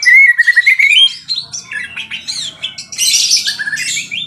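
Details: White-rumped shama in full, energetic song: a rapid run of clear whistles and varied warbled phrases, some notes sliding and some buzzy, densely packed and shifting in pitch, with faint low background murmur.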